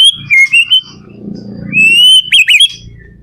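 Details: White-rumped shama song used as a lure to get other shamas singing: clear whistled phrases, a wavering note, then a long steady whistle ending in quick sharp downslurred notes, over a low background hum.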